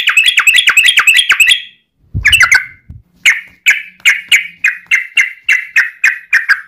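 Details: Long rapid 'ropel' song of a yellow-vented bulbul, played to get other bulbuls singing: a quick flurry of chirps, a low thump and pause, then evenly spaced ringing notes about two per second.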